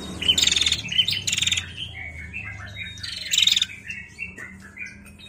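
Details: Calls of a female bar-winged prinia, narung style, with sharp high notes and two clusters of rapid buzzy trills, while a second, softer bird warbles lower, descending phrases in the gaps.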